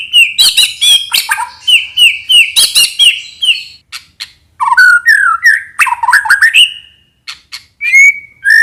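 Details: White-rumped shama singing a lure song, with bright high whistled notes repeated in quick runs, sharp clicks and chips, then a lower series of rising, sliding whistles and short pauses between phrases.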